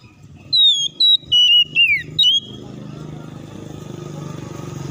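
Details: Oriental magpie-robin song meant to provoke rivals into singing and fighting. Five bright whistled notes in two seconds, the last falling steeply, then a steady pulsing engine-like drone fills the rest.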